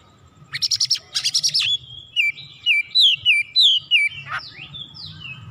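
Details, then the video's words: Oriental magpie-robin, or kacer, heated up and agitated, singing its full repertoire: two harsh rattling bursts, then a rhythmic run of short downslurred whistles, roughly three per second, ending in higher sweeps. "KACER GACOR MEMANAS NAIK EMOSI BONGKAR ISIAN"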